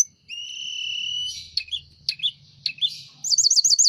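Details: Energetic Sunda robin song, wings opened: a long flat whistle, scratchy chattering notes, then a fast series of looping high trills; faint low hum in the background.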